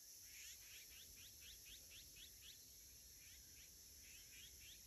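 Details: Azure-winged magpie recorded on 27 August 2021, birds in flight: a quick series of short, bright rising chirps, about four per second, then a brief pause and a few more, over a steady high insect drone.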